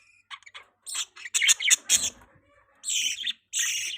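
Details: Soft budgerigar twitters build into loud, harsh chirps, followed by two longer scratchy calls.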